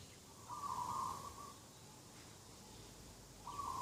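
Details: Morning dove call at a garden edge, 2 October 2021: a loud, steady, trilled coo lasting about a second, then a quiet gap before a second coo begins, over soft outdoor background noise.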